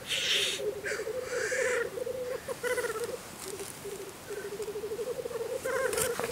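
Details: Spring lek of black grouse in Russia, with several males giving continuous low bubbling coos beneath loud hissing sneeze-like calls and scattered higher notes.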